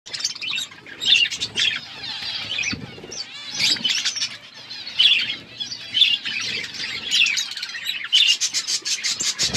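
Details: Budgerigars kept in an aviary, a dense flock chattering nonstop with bright warbled chirps and rapid scratchy trills, overlapping voices rising and falling in bursts throughout.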